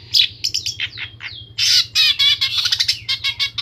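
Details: Isian sekebon song of a long-tailed shrike from Pemalang, Central Java: high chirps and two falling whistles, then a loud burst of scratchy, buzzy rapid notes, with a constant low hum underneath.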